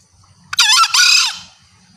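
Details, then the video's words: Loud, clear green junglefowl call, given as a female calling males and used as a hunting lure: a single harsh, screechy two-part note, a brief rising burst followed by a longer rasping note that falls away. "Masteran Ayam Hutan Hijau.. Kokok nyaring dan jerniih.. the sound of green jungle fowl.."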